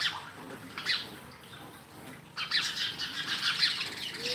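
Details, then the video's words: Sparrow calls: sparse high chirps at first, then a loud, busy stretch of overlapping harsh chirping after a short lull. "Sparrow Live 3"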